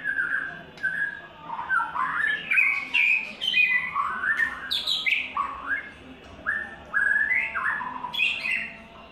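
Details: White-rumped shama after its third moult singing a rich, continuous song of fluting whistles that slide and jump between phrases, with brief chatters and a faint low hum underneath.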